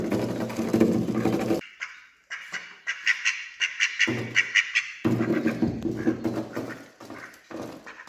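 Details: Male and female ducks feeding together, and wary of the person feeding them, give harsh, nasal quacks, some in quick runs of short repeated notes, over broad splashing and rustling of feeding.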